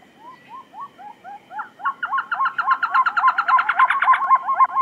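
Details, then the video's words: Trogon starting with soft, spaced, upturned notes that quicken and strengthen into a rapid, loud chattering series, over a low background hiss. "THE BEST TROGON SOUNDS COMPILATION"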